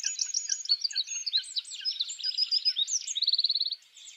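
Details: Eurasian wren (Troglodytes troglodytes), a wild songbird in a spring forest, singing its mating song: a dense, hurried jumble of piercing high twitters building into a fast buzzing trill before stopping abruptly.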